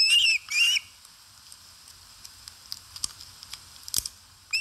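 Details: Osprey feeding at its nest in Satakunta, Finland, 4 August 2022, live camera; two quick whistled calls open, followed by several seconds of soft irregular clicks and taps, then another call begins.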